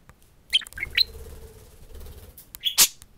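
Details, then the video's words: Pet budgerigar pair at a mirror indoors; a couple of quick rising chirps, a quiet pause with faint background hum, then a loud sharp squawk. "Two talking parakeets speak to a mirror"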